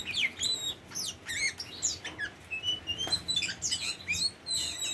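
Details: Tame Oriental magpie-robin singing quick, wavering whistles, steep upslurs and downslurs and a few scratchy notes in a lively, varied string, with a steady low hum in the background.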